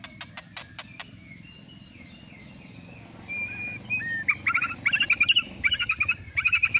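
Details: White-rumped shama lure song for provoking a kept bird to sing: after soft clicks and a thin whistle, a loud rapid sequence of rich chattering, warbled notes fills the last three seconds.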